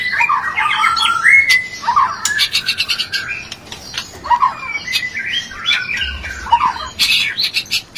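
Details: White-rumped shama mating song played to raise another shama's breeding urge: rich, varied phrases of slurred whistles and rising notes, broken by sharp clicks and harsh chattering bursts.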